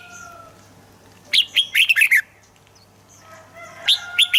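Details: Red-whiskered bulbul song, played to make birds lively: a quick phrase of five to six bright, tumbling whistles, a pause with faint thin tones, then the phrase starting again at the end.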